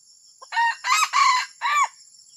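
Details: Odd-sounding junglefowl crow: a soft opening note, then four coarse, grating syllables, the final one arching downward, with a thin high whine throughout.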